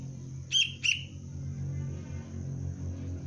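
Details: Young sooty-headed bulbul from the Cengkram line, being trained as a lure bird, utters a quick pair of bright, clipped chirps at the start, then a steady low hum continues.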